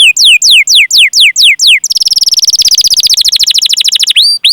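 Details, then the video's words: Canary song used to encourage other canaries to sing: a run of descending whistled sweeps about every quarter second, then a long rapid rolling trill ending in an upslurred note. "Masteran Suara Burung Kenari Gacor Panjang cuit cuit Ngerol untuk Pancingan Kenari!"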